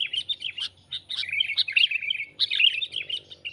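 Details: Sooty-headed bulbul trapping lure: bursts of bright chirps and trilled notes, a brief gap after two seconds, then another lively burst of chatter, with a faint hum.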